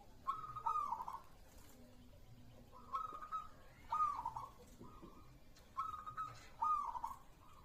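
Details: Local zebra dove, or perkutut, giving paired cooing phrases roughly every three seconds. Each pair is a short level coo followed by a quick stuttering, dropping one, over quiet low background noise.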